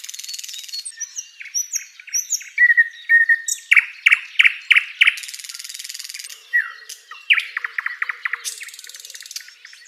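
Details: Varied flycatcher song from a tutor recording for songbirds: high buzzy trills, short upslurred whistles and groups of loud descending chirps, with a soft hiss running underneath and a rattling trill near the end.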